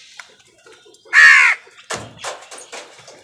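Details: During a squabble between crows and wild birds over food, one loud, hoarse caw lasting about half a second rings out, followed by softer rustling and scraping sounds.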